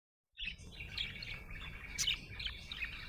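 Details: Budgerigar described as happy, chirping in a rapid, continuous stream of bright, scratchy warbled notes with short sharp clicks and squeaks, rising in intensity around the middle.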